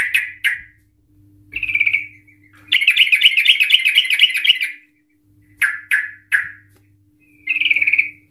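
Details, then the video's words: Yellow-vented bulbul (trucukan) singing a long ropel, used to provoke other trucukan to answer. Scattered sharp chirps frame a two-second stretch of fast, rattling, bubbling notes, with a low steady hum in the background. "Trucukan Gacor EMOSI Ropel panjang Ngikluk Ampuh untuk Pancingan Trucukan agar bunyi Ropel"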